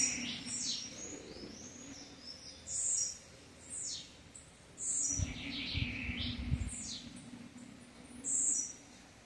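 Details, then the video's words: Campainha song from a blue-black grassquit: a busy run of very high buzzy notes and sliding chirps, several bursts in quick succession. A brief low rumble sounds midway. "TIZIU CANTO CAMPAINHA"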